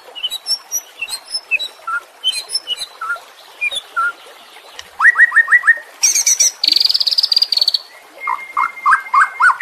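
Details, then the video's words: White-rumped shama song: a rich, varied run of clear whistles, quick rising slurs, rattling trills and a high buzzy phrase, changing every second or so. "Masteran murai batu anti zonk cocok untuk murai batu yang macet bunyi"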